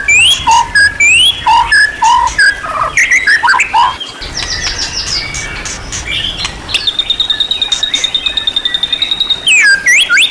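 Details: Champion-class white-rumped shama with a training song full of varied material. Rising whistles give way to tumbling notes, then a long, fast, even trill of high ticking notes, ending in swept whistles.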